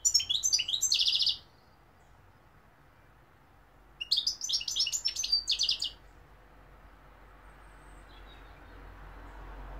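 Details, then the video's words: European goldfinch in two rapid bursts of bright twittering song, high chirps mixed with dense buzzy rattles, each lasting about one and a half to two seconds, separated by quiet; faint low background hum. "goldfinch p throat sign 2021 مقنين الحسون"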